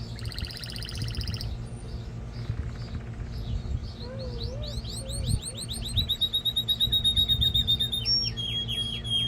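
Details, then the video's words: Male canary singing to stimulate a female for mating and to train young birds: quick repeated trills, rising sweeps and fast pulsed notes, with a low steady hum underneath. "تغريد طائر كناري جبار يحفز الذكر ويهيج الأنثي لتزاوج قمة الابداع لتسميع الفراخ | canary singing"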